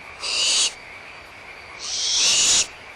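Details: Barn owl young at Audubon Starr Ranch Sanctuary, 17 April 2011, excited during a squabble over leftover food, mother close by: two long, harsh hisses over a second apart, the second longer, with frogs trilling steadily behind.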